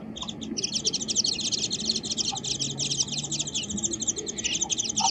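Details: Japanese white-eye, wild, recorded on a birdwatching walk with a compact digital camera: a dense, continuous run of high, thin twittering chirps overlapping throughout, over faint low background hum.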